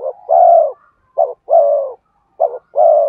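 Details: Spotted dove song for luring wild birds: low, mellow phrases, each a short wavering note then a sustained coo dropping slightly in pitch, given three times in quick succession.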